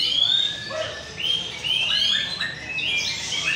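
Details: White-rumped shama at a bird singing contest in North Jakarta, Indonesia: clear whistled notes, some rising and some falling, in short separate phrases, over steady chatter from other birds.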